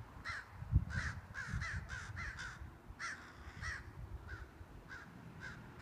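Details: Two large crows chasing a hawk with a three-foot wingspan away from the crow colony; rapid series of loud rasping caws, a dozen or more in quick irregular bursts, with a thump and low rumbling background.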